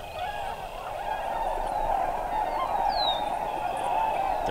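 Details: Migrating tundra swan flock, arrived in central Wisconsin from the Chesapeake Bay region: a dense, unbroken chorus of many overlapping calls, steady throughout, with one clear higher note near the end.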